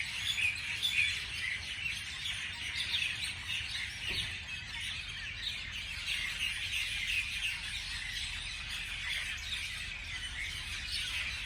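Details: Many birds tweeting on a morning, a continuous high twittering chorus, a little quieter, with a few clearer whistled notes near the start.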